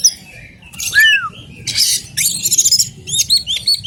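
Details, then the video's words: Oriental magpie-robin of the forest (alas) type giving a falling whistle, then dense raspy chattering and a quick series of high chips, with a constant low hum behind. "BURUNG KACER ALAS AMAR"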